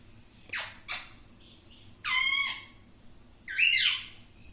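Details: Talking parrot, said to repeat "mittu": a few harsh, buzzy squawks with layered overtones, one short pair followed by two longer drawn-out screeches, each falling slightly in pitch, with quiet gaps between.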